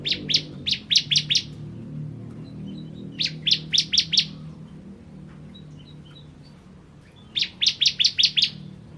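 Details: A Bar-winged prinia (Prinia familiaris), of the 'crystal' type kept as a training song bird, sings three bursts of six to eight sharp, high chirps, each about a second and a half long, over a low steady hum.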